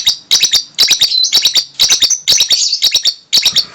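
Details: A lovebird giving an odd, dense, shrill chatter of clicks and squeaky tones in uneven bursts, with brief gaps between them.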